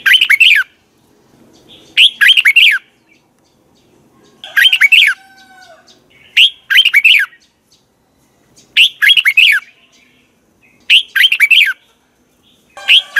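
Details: Red-whiskered bulbul giving its morning training song, 'giọng kép xoắn' double twisting voice: brief, loud, sharp whistled phrases repeat about every two seconds, separated by silence, with some gaps slightly longer.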